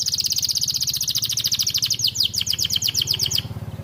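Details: Caged young canary beginning to sing, a fast buzzy trill followed by slower sweeping downslurred notes, with a low steady hum underneath.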